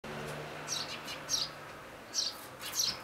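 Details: Eurasian tree sparrow chicks at the nest, tended and fed by their parents on 12 May 2012, only hours before fledging; four short high chirps, spaced unevenly over three seconds, over a faint low hum.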